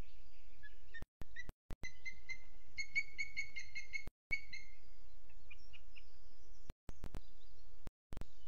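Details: Booted eagle at a webcam in Sierra de Guadarrama National Park, Spain, at 07:20 on 12 June 2022. It gives a run of about eight clear, whistled, evenly spaced notes. Brief silent dropouts and clicks break the recording.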